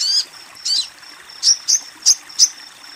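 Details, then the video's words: Female sogon calling a male: thin, high chirps and sweeping notes repeated at irregular short intervals, some in quick pairs, against a soft continuous background hiss. "Sogon BETINA Memanggil Sogon JANTAN"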